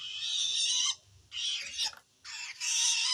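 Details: Rasping screeches of a long-tailed shrike calling wild shrikes, said to show it feels threatened by another shrike: three drawn-out harsh, noisy bursts with short gaps.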